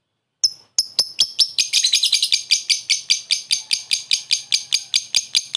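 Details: Lovebird's short laughing ngekek call, given to call a rival and used for luring: a few spaced shrill chirps quicken into a steady, rapid, high chattering trill that runs to the end.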